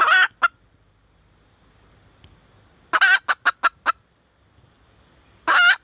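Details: Female red junglefowl calling for a mate: a loud, harsh, drawn-out squawk, then a quick cluster of short clucks, and another raspy squawk at the end, with near silence between bursts.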